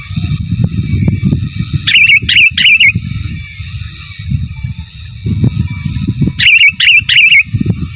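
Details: Sooty-headed bulbul singing gacor, giras and menggaruda style as a master song: two bursts of three rapid, bubbly warbled phrases each, over loud continuous low rumbling noise and a constant high tone.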